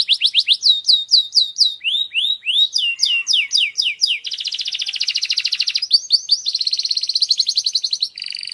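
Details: Loud male canary song meant to ready females for breeding: series of repeated swooping whistled notes, lower rising slurs, then long rapid rolling trills and a final harsh buzzy phrase, all high-pitched and uninterrupted.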